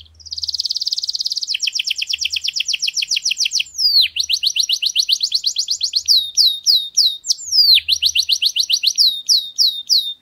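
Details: Canary singing in a garden: bright, rapid trills of high repeated notes, shifting from a fast buzzy roll into chains of sharp downward-swept chirps and rolling phrases, with brief low hums in the background.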